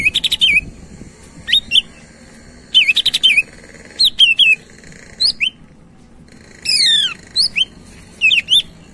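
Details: A greater green leafbird in full song, used as a lure to prompt other birds, gives lively bursts of bright slurred whistles and chattering notes, high and varied, in short phrases every second or so.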